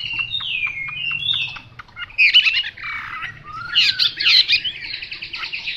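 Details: Chinese hwamei 'mộc dở' song: clear descending whistles first, a short lull, then loud bursts of rich, jumbled warbling and sliding whistled phrases.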